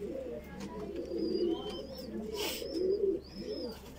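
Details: Voorburg Shield Cropper pigeon chick being fed, giving low, wavering, nasal begging notes in uneven bursts, with thin high whistles from other birds and a short noisy rustle midway.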